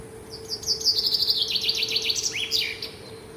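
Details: Bird singing at dawn, a lively, high twittering run of quick repeated notes, some buzzy, sweeping down and up in short slurs, with a steady low hum beneath.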